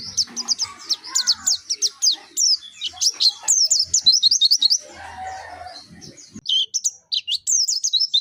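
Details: Pleci (white-eye) of the Dakun type from Pacitan singing in 'nembak' style with 'mantenan' and 'zipper witwit' variations: rapid high, sharply modulated chirping phrases in quick bursts, with a lower warbling sound around five seconds.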